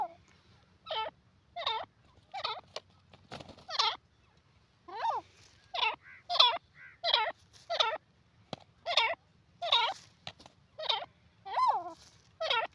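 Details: Grey francolin giving a long series of loud, rhythmic, grating phrases, each under half a second and repeated roughly every 0.8 seconds, with occasional clicks and a faint low hum beneath.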